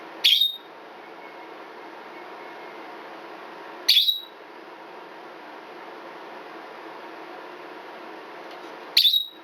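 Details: Twelve-year-old female red-bellied parrot, a pet indoors, giving the beep-like scream described as like a smoke alarm: three sharp, high piercing shrieks, each under half a second, about four to five seconds apart, with faint room hiss between.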